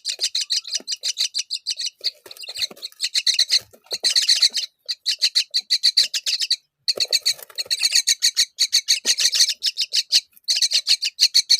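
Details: While a mother myna feeds fig to her young, harsh rasping notes pour out in rapid pulses for about eleven seconds, broken by two brief pauses, loud and close.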